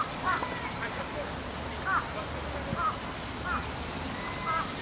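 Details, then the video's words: Large-billed crows, a juvenile and parent (later one parent with two juveniles) calling at differing pitches, 13 June 2015, give short, nasal calls, five in about five seconds at an uneven pace, over steady traffic hum. "ハシブトガラス "Jungle Crow" 鳴き声。"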